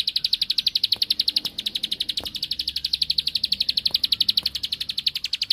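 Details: Provoking song of a bar-winged prinia: a long, continuous, fast series of sharp high notes with a steady pitch. Faint clicks sound in the background.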